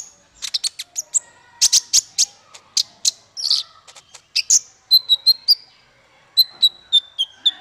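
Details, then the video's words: High twittering of a male brown-throated sunbird recorded as training song for other birds; sharp chips give way to a run of clear, evenly spaced whistled notes repeated roughly every half second. "Suara konin untuk masteran burung 100%jitu konin jantan"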